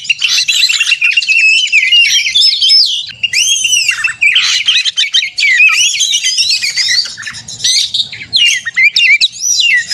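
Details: Fighting 'narung' song of a kacer, the Oriental magpie-robin, used as a lure to excite other birds; long looping whistled phrases with upward and downward sweeps, interspersed chatter, broken by short pauses near three and eight seconds.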